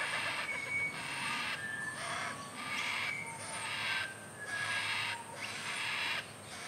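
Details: A Yellow-tailed black cockatoo (Zanda funerea) chick in a tree in Sydney gives harsh, grating begging rasps about once a second while its mother feeds it macadamia nuts. Thin whistles from other birds are heard behind.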